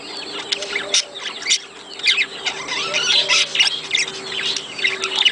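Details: Budgies recorded to encourage pairing and breeding: steady squeaky warbling with sharp chirps scattered throughout and brief, louder squeals.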